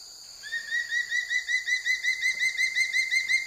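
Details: Sub-adult changeable (crested) hawk-eagle on an egret kill during an evening safari in Bandipur Tiger Reserve, Karnataka, giving a rapid, shrill series of high piping notes, about four a second, slightly rising and steady, over a quiet background.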